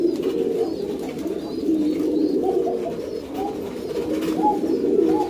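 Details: Pouter pigeons, a domesticated fancy rock dove breed with an inflatable crop, housed in a loft: rapid overlapping low coos with a few rising inflected notes, plus light clicking.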